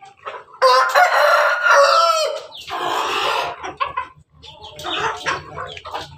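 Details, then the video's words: Red Ayam Ketawa rooster perched atop its cage, giving a melodious crow. A loud, strained opening phrase is followed by a run of choppy, stuttering, laugh-like syllables that fade out, with a low hum underneath. "Ayam ketawa di atas kandang, simerah pendekar berkokok yang merdu"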